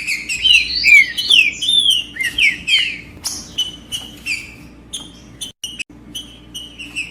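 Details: Trinca-ferro, the green-winged saltator, singing to heat up a male: a fast string of clear, bright whistles with downward slurs, then short repeated notes, some sharp clicks and a faint hum underneath.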